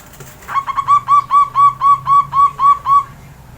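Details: Javanese zebra dove kept as a local perkutut, sunned in the early morning after bathing; clear rapid series of about twelve mellow, rounded coos, each slightly rising then dropping, delivered roughly four per second.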